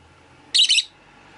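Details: Rosy-faced lovebird in a window-side cage shared by five birds, uttering one harsh, high double chirp over faint background hum.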